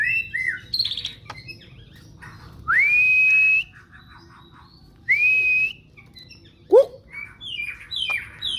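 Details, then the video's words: Loud male white-rumped shama kept as a cage bird, beak open while singing: long pure whistles sliding upward and held, separated by soft chatter, a sharp rising note and short twittering phrases. "Murai papih nih guys"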